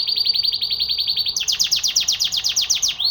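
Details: Canary singing a rapid trill: about one and a half seconds of fast, evenly repeated high notes, then a shift into a louder, slightly lower run of quick rolling syllables, ending on a short upward note.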